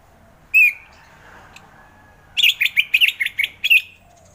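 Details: Orange-headed thrush in ngeplong song style, giving a single sharp whistled note, then after a quiet gap a rapid chattering burst of about a dozen quick notes ending in a short rising whistle.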